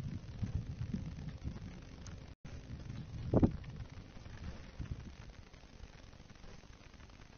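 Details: Low rural background rumble with wind and a single short thump midway, no animal calls.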